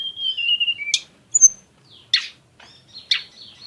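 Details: A lesser shortwing gives a thin, gently falling whistle, then a sharp chip, a high squeak and two scratchy bursts separated by short silences.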